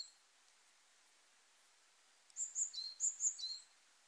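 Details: A Eurasian Wren sings in early spring, mid-March 2023, along the Hayatogawa forest road, Kanagawa, Japan: a brief run of very high, sharp, rapid notes and trills lasting just over a second, after faint background hiss.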